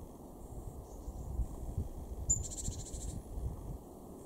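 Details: Single call from a great tit in a garden at Weener, East Frisia, Germany, January 2023: one sharp high note leading into a half-second raspy buzzing churr, over low steady rumble.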